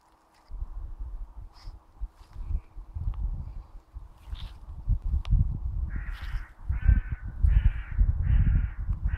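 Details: Common raven perched in a tree: after a stretch of wind rumble, a string of four or five hoarse, rasping calls arrives in the second half, each short and evenly spaced, over steady low wind noise.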